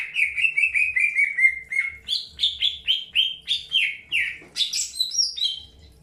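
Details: Greater green leafbird in early pairing: a fast series of short descending whistled notes, then higher stepping whistles and a loud burst of high rising slurs at the end.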